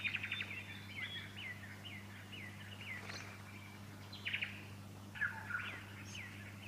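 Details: Fuscous honeyeater calling in Victoria, Australia, in September 2019: bursts of lively, chattering, mid-high notes and quick slurred phrases, pausing briefly before resuming, over a low steady hum.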